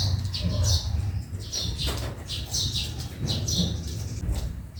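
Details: High chirps from sparrows in a backyard, scattered and uneven, some doubled, against a steady low rumble.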